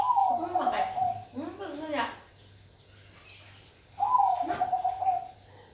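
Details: Zebra dove, Bangkok perkutut type, giving two rolling trilled coo phrases about four seconds apart, with a lower human voice heard just after the first phrase.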